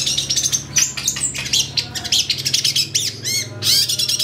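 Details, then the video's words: Long-tailed shrike lure song meant to provoke excited singing, full of varied phrases: rapid scratchy chatter, clicks and buzzy notes with a few arched squawks, dense and unbroken. "PANCINGAN CENDET AGAR BUNYI EMOSI, CENDET GACOR FULL ISIAN"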